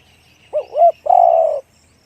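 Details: One full cooing phrase from a spotted dove with a big 'one-kook' voice: two short swelling notes then a long level coo, with a faint high buzz in the background.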